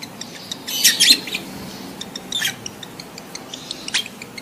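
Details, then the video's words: Mating-condition lovebird chatter offered to prompt adult lovebirds to breed quickly: loud, harsh, shrill squawking chirp bursts around one, two and four seconds in, separated by quieter streams of fast, thin, high ticking notes. "SUARA LOVEBIRD KAWIN"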